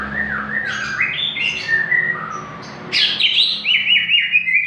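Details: Greater green leafbird singing vigorously as a lure for young captive birds: varied undulating whistled phrases, then a loud burst of bright, descending, rippling notes.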